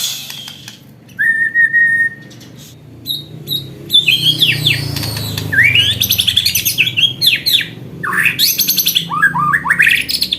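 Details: White-rumped shama singing with a learned hanging-parrot (srindit) repertoire in a fighting style. A thin steady whistle leads into rich, rapid, varied phrases of sweeping and hooked notes, dense and loud over the last six seconds.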